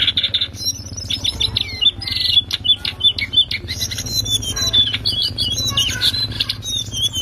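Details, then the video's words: Loud ngriwik song of the lesser shortwing, used as a tutoring master for cage birds: dense rapid chatter of high sharp whistles and trills, rising in intensity midway, with a constant low droning hum beneath. "CINGCOANG COKLAT NGRIWIK KENCENG"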